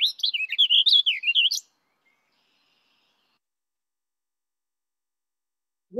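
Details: Warbling Vireo, a bird of woodland edges near open habitat with tall trees that sings from treetops, gives one fast, rambling, high warble under two seconds, the fastest, rushed-sounding cadence of the vireos, then silence; song.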